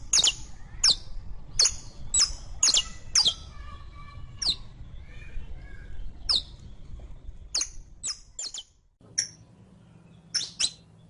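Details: Saffron finch singing, used to train a caged bird. Sharp, high chips come in quick clusters, then more scattered notes, over a steady low background rumble.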